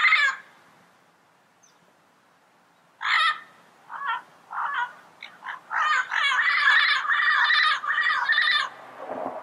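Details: Yellow-headed parrots calling in the wild: one harsh squawk, a pause, then a growing series of raspy screeches that merge into a continuous, chattering squawking run before tailing off.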